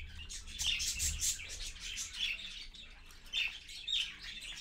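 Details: Parakeet parent with its chicks at 6:20 in the morning, recorded on 4.1.15 by a live camera; high, scratchy chirps and short squawks come in bursts, with a faint low rumble beneath.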